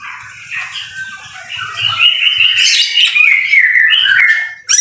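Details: White-rumped shama singing in rain. The song has buzzy, sliding high phrases and a sustained, wavering whistle that falls slightly, with faint low noise early on.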